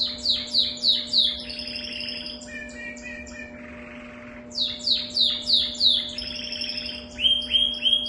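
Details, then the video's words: Canary with an unusual song: rapid trills of high buzzy notes in bursts, a pause with a soft low rasp, then more fast trilled phrases, over a steady mechanical hum. "canário com canto diferente"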